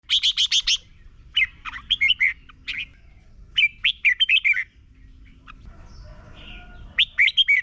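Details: Red-whiskered bulbul in Thailand, song played each morning so birds learn to sing quickly and firmly; a rapid burst of five buzzy notes, then several short bubbly, warbled phrases of three to five notes, with a faint steady hum.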